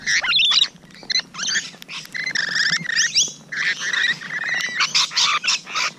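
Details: Close encounter with Rainbow Lorikeets on a June 2017 morning: a flock's shrill, buzzy screeches and rapid chatter, bursts overlapping with short pauses between them.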